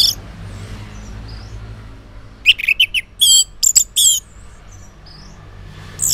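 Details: Orange-headed thrush singing in the morning in 'ngeplong' style as a lure for quiet males: a brief flurry of sharp, buzzy, high notes in the middle, set between quiet stretches with a low background hum.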